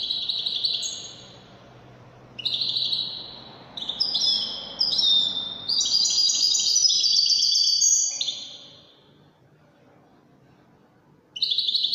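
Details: European goldfinch of the Wedani type singing in separate bursts of high, rapid twittering. The longest run of tinkling, buzzy notes lasts about three seconds before a pause, and a faint low hum sits underneath.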